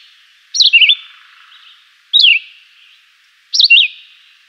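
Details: Simple, melodious song of the chivi vireo: three clear slurred whistled phrases about one and a half seconds apart, each a rapid downward sweep followed by a small upturn, echoing faintly.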